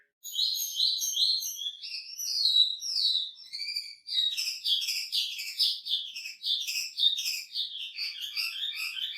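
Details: Energetic wambi song: sweeping whistled slurs give way to a dense, rapid chatter of sharp high chirps and trills that keeps up without pause.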